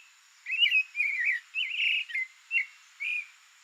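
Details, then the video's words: Wild creamy-bellied thrush in its natural Brazilian habitat delivers a run of mellow warbled phrases, some wavering and trilled, others short rising slurs, spaced by short pauses over a quiet high background hum. "SOUNDS of CREAMY-BELLIED THRUSH"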